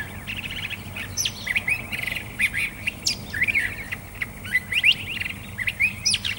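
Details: Curve-billed Thrasher singing a rapid, varied run of warbled and chattering phrases, with short slurred whistles and trills tumbling over one another with hardly a pause.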